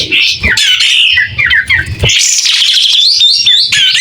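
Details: A white-rumped shama in full song, tail spread open. It gives bright, clear phrases, starting with mid-pitched warbles, then a high, fast, trilled stretch of chirps, with faint low thumps early on.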